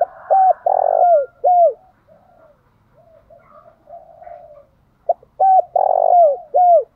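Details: Spotted dove calling to stir wild doves into answering: low, rounded coos with falling, hooked notes in two clusters of three to four, separated by a quieter, mumbling stretch.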